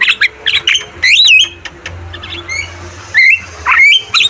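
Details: Energetic Javan myna song used for training caged birds: short scratchy chirps, then a wavering, looping whistle, scattered squeaks, and a final rising whistled note, over a faint low hum.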